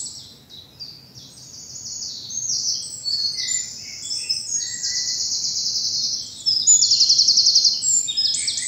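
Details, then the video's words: Birds singing in a southern English bluebell wood on a spring morning: loud, high, rapid twittering and trilled phrases, including a fast buzzy trill near the end, several songsters overlapping. "Birdsong and bluebells in the morning sun"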